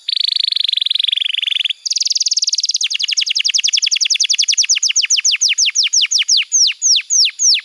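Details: Canary tutor song for young birds and for canaries that have stopped singing: a dense buzzy trill, a higher rapid rattle, then a long series of falling notes that slow into widely spaced downward sweeps.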